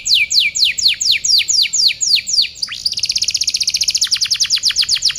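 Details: Canary song recorded as a tutor for other birds: repeated steep downward-sweeping whistles about four per second, followed by a fast dense buzzy trill with quicker sweeping notes.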